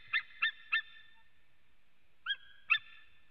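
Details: White-tailed eagles at a nest webcam in Latvia, 23 September 2017 at about 14:12, give sharp, yelping, goose-like notes: three quick calls, a pause, then two more. The male Raimis is calling, with another male also calling.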